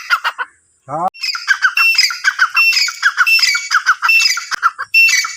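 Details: Teetar, or francolin, giving a dense run of high, scratchy calls mixed with short clear whistled notes, repeated irregularly at over one per second. One short lower, rough burst interrupts early on.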